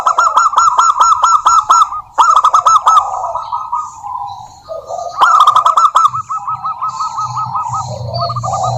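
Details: A local female zebra dove calls a rival with bursts of quick, sharply pulsed coos that slow into softer rolling trills and a dip to lower notes; a low hum rises near the end.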